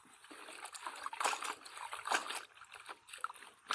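Splashing and trickling water with handling noises; no animal sound is heard.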